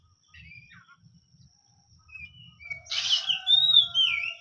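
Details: Kacer, or oriental magpie-robin, giving soft whistles that build into a loud burst of harsh, buzzy notes followed by a long rising-and-falling whistled slur, with faint low rumbling underneath.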